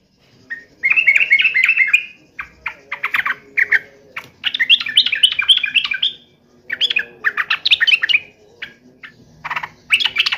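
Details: Sooty-headed bulbul singing in fighting mode, with near-continuous agitated chattering whistled phrases over a faint low background murmur.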